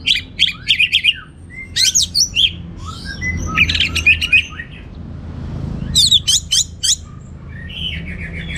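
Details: Orange-headed thrush in prolific gacor teler song with abundant material: clusters of sharp high notes, twittering runs and whistled slurs broken by short gaps, against faint low-pitched background noise.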